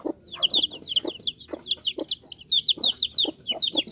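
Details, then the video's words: Bangkok chicken chicks, a fighting-cock breed, peeping continuously in high, quick downward-bending chirps layered densely, with low tapping or scratching knocks underneath. "Anak ayam bangkok super"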